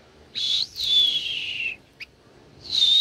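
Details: A very tame blue-winged minla sings clear high whistles that slide slowly downward, with a short sharp note between phrases in a quiet setting.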